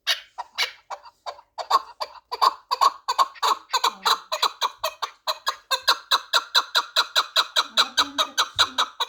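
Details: Four-year-old Pamir chukar partridge kept for fighting and hunting, giving a long rhythmic run of harsh clucking chuk notes, roughly two to three per second, steady and insistent throughout, with a few faint low thuds near the end.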